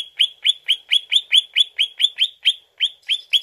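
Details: Greater green leafbird sound played as a lure to draw an answer from the bird: a steady, rapid train of sharp upward-flicking chirps, about four per second, each clear and ringing.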